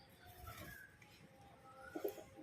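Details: A male domestic pigeon, fully excited while being fed grain and with newly added pigeons calling, gives soft, low, throaty coos beneath a man's speaking voice.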